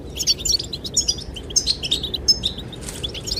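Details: Chirping goldfinches singing to attract the female, with wind blowing: a fast stream of short, high, tinkling notes and brief slurred whistles, delivered in rapid clusters, over low wind hiss.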